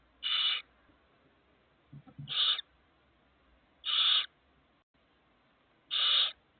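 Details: Four barn owl chicks give harsh, breathy snoring hisses, each about a third of a second long, repeated every one and a half to two seconds, with a soft thump between.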